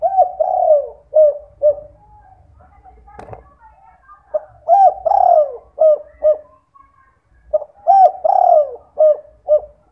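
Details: Derkuku (spotted dove) night lure in 'kuk 2' style, meant to get other doves calling; repeated phrases of mellow coos, long falling notes alternating with short ones, plus a single sharp click.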